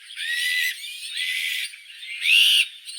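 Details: Azure-winged magpie giving three rough, wheezy screeches of about half a second each, the last louder with a rising whistled edge, with soft chatter between.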